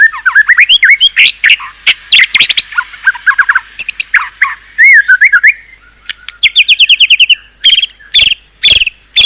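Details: Murai batu, the white-rumped shama, delivering a varied song of rapid chirps, twitters, buzzy harsh notes and looping whistles, with short gaps between bursts.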